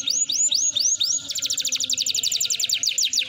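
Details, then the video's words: A canary sings four quick, rising whistled slurs, then breaks into a fast, bright trill of rapidly repeated high notes over a faint steady hum. "Pancingan Kenari Gacor Mewah ( Kenari F1Sf Gacor Cengkok Gurih )"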